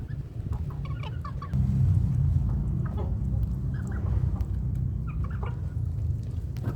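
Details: Village chickens (ayam kampung) aged two months and three weeks: scattered short chirps and soft peeping calls at irregular intervals, set against a strong, steady low rumbling noise that dominates throughout.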